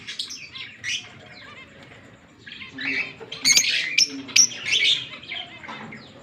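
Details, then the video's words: Green Fischer's lovebird pair, kept as pets, chirping and singing together: dense bursts of shrill, rapid chirps and squeaky twitters, loudest in the middle, with short quiet gaps between bursts. "Lovebird Singing & Chirping Sounds- Green Fischer Pair"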